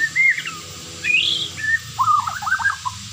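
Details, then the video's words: Melodious white-rumped shama song: short level whistles and a sharp higher whistle, then a rapid run of jerky, warbled notes, all over a low hum and faint hiss. "dengar suara merdu MURAI ini"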